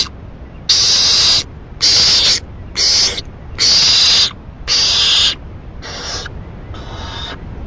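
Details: Owl giving loud, harsh, breathy hissing screeches, about seven drawn-out bursts roughly one second apart, each noisy and high-pitched, over steady low background hum.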